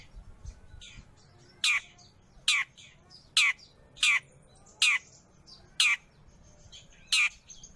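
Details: Long-tailed shrike sound for training caged birds or luring wild birds: loud, rasping, downward-sweeping squawks, about seven in a row, spaced under a second apart over a quiet background.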